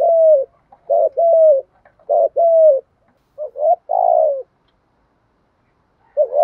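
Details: Decoy spotted dove calling to attract wild birds: a run of soft, low coos in quick pairs, then a short gap, two more phrases ending in a drawn-out falling coo, then silence before one last note.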